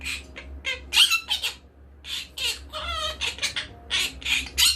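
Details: Pet monk parakeet (Quaker parrot) indoors giving harsh, raspy squawks and chattering notes in quick, uneven bursts, about three a second, over a low indoor hum.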